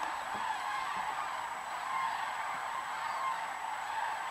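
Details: Many thousands of common cranes gathered on a lake in Hortobágy, Hungary, for the night's rest during migration; a dense, continuous wall of overlapping trumpeting and honking calls with no pauses, individual voices blurred into a steady roar.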